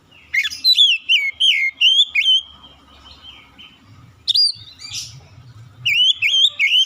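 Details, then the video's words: Oriental magpie-robin in full song: a rapid sequence of loud, bright whistles with swooping inflections, a pause with quieter notes and low rumble, then further ringing whistled phrases. "KICAUAN INDAH BURUNG KACER"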